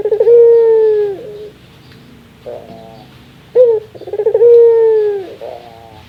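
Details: Laughing call of a Barbary dove, said to be its rarest sound. Two rounds of quick stuttered notes each run into a long, level, gently descending hoot lasting about a second, separated by short soft bursts.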